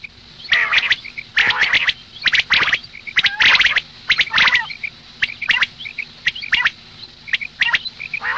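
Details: Female common quail calling in the morning: dense, scratchy bursts in rapid runs, with faint high chirps and clicks between them, then quieter scattered notes.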